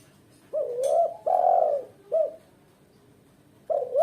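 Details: Female spotted dove calling loudly, used as a lure and tutor for beginner birds: a short husky coo, a long drawn-out coo, then another short coo, with a fresh phrase starting after a pause.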